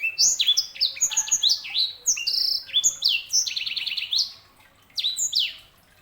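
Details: Continuous lively song of a canary hybrid (sanger): varied slurred whistles, sharp chips and a rolling trill mid-phrase, with barely a pause.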